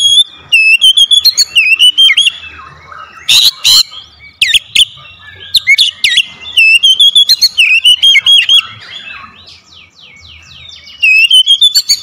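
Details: Oriental magpie-robin singing as a lure to get a reluctant bird singing, a long varied song of loud whistles, trills and sharp slurred notes in rapid bursts, brief pauses, with faint buzzy sounds in the gaps.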